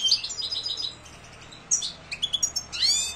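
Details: European goldfinch in silvestrismo context: a rapid tinkling trill opens, then a quiet lull, followed by sharp chirps and a bright rising twitter at the end.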